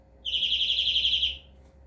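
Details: Greenfinch singing a single fast buzzing trill, many identical pulses run together at steady high pitch for just over a second against a quiet background.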